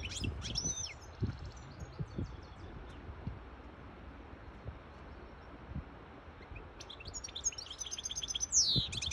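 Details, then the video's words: A goldfinch hybrid sings two short bursts of high, liquid twittering, one at the start and a longer one at the end, with a quiet gap and low thumps between; it sings for the chicks and to excite a female goldfinch taking mating posture. "تغريد طائر هجين الحسون لتسميع الفراخ و لتهييج انتى الحسون"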